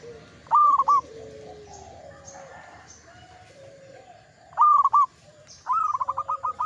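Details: A mature local zebra dove sings. Two brief, clipped coo phrases stand apart, then a rolling series of rapid, evenly spaced cooing notes that fades slightly toward the end, over a low steady hum and faint distant chirps.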